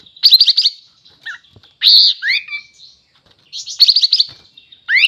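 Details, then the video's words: Vigorous sooty-headed bulbul song: two quick stuttering trills of sharp notes frame a loud burry burst and a falling whistle, with a brief low whistle and a final rising note. "Suara Burung Kapas tembak Super Gacor"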